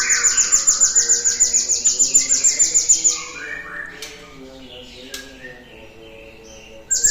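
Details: Cinereous tit singing to stimulate other birds: about three seconds of loud, high, evenly repeated notes in a fast trill, followed by quieter lower warbling and a couple of clicks before the trill resumes.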